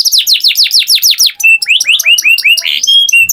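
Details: Singing canary delivering a fast series of high downslurred notes, followed by a slower string of curved, rising-falling chirps and short clear whistles, all loud and clean.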